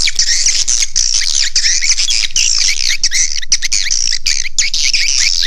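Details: Swiftlet calling sound meant to draw swiftlets into a nesting house. Busy, overlapping high chirps and twitters run without a break, with short rising and falling notes packed closely together.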